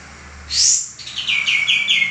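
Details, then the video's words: A male common iora, singing as a model for cage birds, gives one shrill high sweeping note, then a quickening string of clear, falling chirps. "suara burung kapas tembak jantan gacor"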